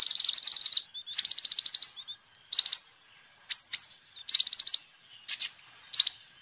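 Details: Sunbird singing, used to lure and teach birds: a long high trill followed by shorter buzzy trills, sharp up-slurred whistles and thin twittering notes.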